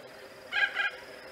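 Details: Spoonbill at its nest giving one short, hoarse, grunting double call with a brief pause between the parts, over a quiet, hissy background.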